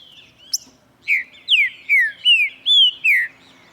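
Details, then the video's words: Green-winged saltator (trinca-ferro verdadeiro) singing in the morning: after a faint high opening note, a phrase of six loud, clear slurred whistles, mostly falling in pitch, delivered roughly every half second over a quiet background. "VEJA O TRINCA-FERRO CANTANDO"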